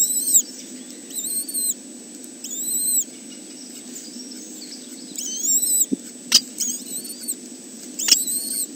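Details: Three young kestrels at their nest, on a reserve webcam at Arne, 30 May 2013. Piercing, bowed squeals come in clusters of two or three, broken by sharp knocks and scraping clicks against a soft background hum.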